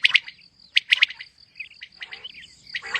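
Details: Female common quail calling, used as a hunting lure, gives short, sharp, raspy notes in quick pairs and triplets, with a thin steady whine and other faint chirps behind.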